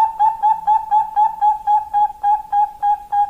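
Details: Female Bangkok-type zebra dove calling to a male: a continuous, fast run of short, clear, hollow coos, close to four each second and evenly spaced throughout.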